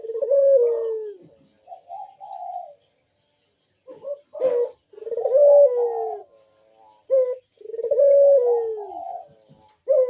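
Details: Perched puter dove in full gacor voice giving repeated deep coos, each long and gently falling, mixed with short clipped notes and gaps. A brief sharp knock sounds mid-sequence. Meant to lure other doves into calling.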